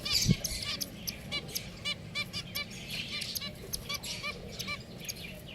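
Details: Domestic pet finches call steadily with clipped, nasal, toy-horn notes carrying clear overtones, repeated about three times a second against faint background hum.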